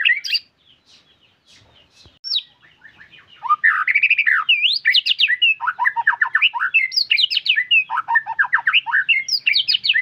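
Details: White-rumped shama singing in full voice: after a few scattered notes and a short lull, a loud, energetic, varied sequence of whistles, chatters and quick slurred phrases.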